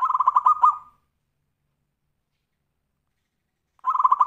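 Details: Zebra dove (kutut) in Tumpang Sari song style, used as a lure for other singing birds: the tail of a quick cooing phrase, a long silent pause, then a new phrase of rapid rhythmic coos beginning.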